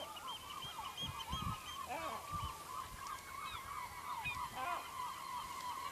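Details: Seagulls by a Norwegian fishing village in Lofoten give rapid, overlapping nasal cries, a near-continuous chatter. Deep bumps and a faint voice-like murmur sound below.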